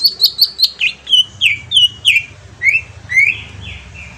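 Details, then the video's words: Green leafbird song used as a lure: fast high repeated chips opening into evenly spaced slurred whistles, then softer rising notes trailing off. "pancingan cucak ijo auto nyaut bunyi langsung"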